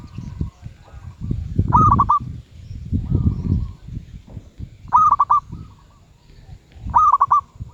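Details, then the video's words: Three loud rolling coo bursts from a medium-voiced zebra dove ('suara sedang'), each a short run of rapid repeated notes, with softer distant cooing between them and low rumbling background noise. "Merbuk suara sedang"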